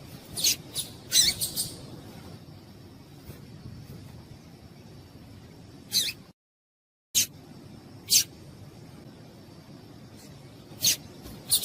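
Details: Female papa-capim seedeater giving calls meant to stimulate males to sing; short piercing chips in a quick group at the start, then single notes spaced one to three seconds apart against low hiss.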